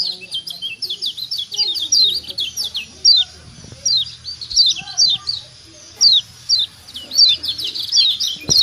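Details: Kecial kuning Lombok white-eye, a caged bird from Lombok, calling to stimulate other birds to call. Bursts of high, rapid, descending chirps come in short groups separated by brief pauses, with faint low background noise.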